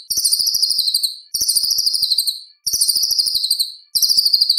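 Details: White-rumped shama delivering loud competition material, a high buzzy rapid trill lasting about a second, repeated four times with brief silences between.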